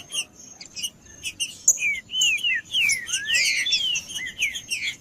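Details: Green-winged saltator singing at length to warm up other saltators and train young birds: after sparse chirps, a flowing series of loud whistled notes, some falling and one rising, runs almost continuously amid high twittering.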